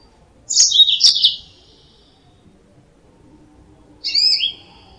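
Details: Yellow-fronted canary sound meant for luring birds: a quick burst of bright, jumbled chirps, then after a pause of about three seconds a shorter phrase of clear, slurred whistles.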